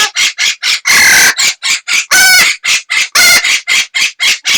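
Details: Two pet Amazon parrots, one answering the other's calls: loud, harsh squawks repeated about once a second, some longer and screechier with a wavering tone.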